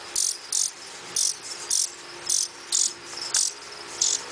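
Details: A nestling blue-winged warbler being fed in rehab gives very high, hissing-buzzy begging bursts, often in pairs, about twice a second over a faint hum.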